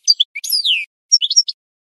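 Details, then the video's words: Short burst of goldfinch song from a recording used for training birds: a few sharp chirps, a long descending buzzy slur, a pause, then four quick tinkling notes. "The Best Singing Goldfinch"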